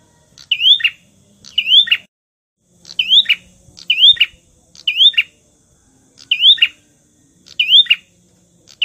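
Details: Lively song of a visiting prinia (prenjak tamu), played to lure and provoke rival birds: eight bright, high phrases about once a second, each a swift upward-sweeping whistle snapping into a short falling note; faint low hum underneath.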